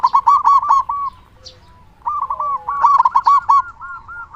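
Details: Local zebra dove from Indonesia with a big, persistent voice, used as a lure to prompt other doves to sing. Quick rippling coo phrases open and close the passage, separated by a brief near-silent pause with faint low tones.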